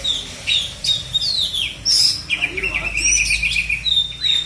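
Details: Oriental magpie-robin in South Aceh, Indonesia, from bird-keeping circles, singing loud clear whistles: falling slurs and sharp upward sweeps in short phrases with brief pauses, over low hum.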